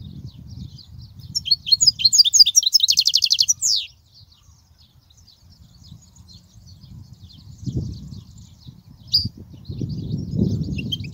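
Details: European goldfinch song used for training young goldfinches: a lively twittering phrase ending in a rapid buzzy trill, then near silence with a few faint, distant high notes and some low rumbling.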